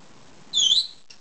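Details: Two-year-old female pet lovebird asking for a head scratch gives one short, high squeaky note, followed by a faint brief chirp, in a quiet room.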